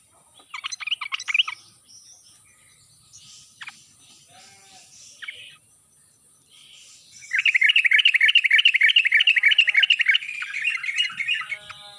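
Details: Sooty-headed bulbul song meant to coax quiet birds into singing: a brief chattering phrase, scattered faint notes, then a long loud run of fast repeated bubbly notes.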